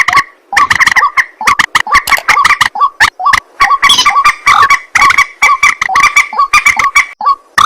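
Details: White-breasted waterhen calling at night: a dense run of harsh, croaking notes, rapidly repeated with brief pauses, rough and nasal with strong mid-pitched bands, continuing almost without break for the full stretch.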